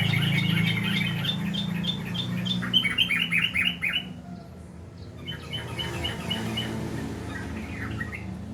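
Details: Sooty-headed bulbul, known locally as trucukan garuda, gives quick bursts of bright, clipped chirping notes, about four a second for several seconds. It pauses, then resumes more softly over a steady low hum.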